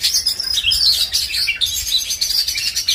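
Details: Short burst from an Oriental magpie-robin (kacer), Indonesian songbird hobby context: high, rapid chirps and twittering whistles running together without pause.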